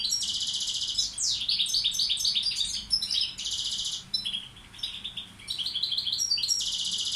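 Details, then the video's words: Balkan goldfinch (balcanica) tutor bird, kept to teach song, delivering dense buzzy trills and rapid tinkling rattles, switching between high metallic bursts and lower twittered phrases in long connected tours. "Carduelis balcanica učitelj... Izbrojite mu ture"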